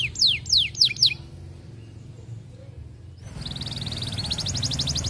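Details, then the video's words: Canary singing to court a female, used as a lure to get other canaries singing: four loud descending whistled sweeps, a short pause, then a fast buzzy trill held high, over low background hum. "Kenari Gacor Panjang MERAYU BETINA Cocok Buat Pancingan Semua Jenis Kenari Biar Ikut GACOR NGEROLL"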